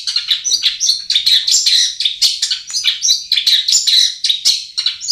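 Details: Long-tailed shrike lure song meant to make sluggish kept shrikes sing readily: a fast, jumbled stream of high chirps, buzzy scrapes and piercing whistles, loud and continuous throughout.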